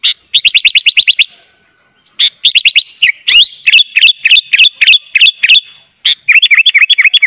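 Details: Sooty-headed bulbul in full 'gacor' song with 'isian' fill-ins, meant for tutoring young birds: fast machine-gun rows of clipped high notes, about three a second, ending in tumbling twisted whistles.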